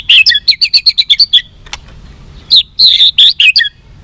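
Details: White-rumped shama long song aimed at provoking fights: quick bursts of high chirping notes in a rapid series, a pause with a single click, then another run of bright chirps.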